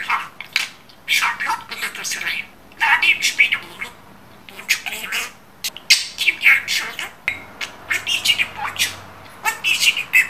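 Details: Talking budgerigar, a pet bird, mixing garbled word-like chatter with sharp chirps and squeaks in dense runs, with a lull around the middle.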